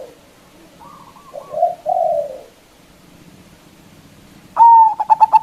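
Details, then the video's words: Local zebra dove calling to provoke opponents: low rolling trills and murmuring coos over a faint background hum, then a loud whistled note launching a rapid run of staccato coos. "Perkutut Lokal GACOR suara Besar Ampuh memanggil Lawan"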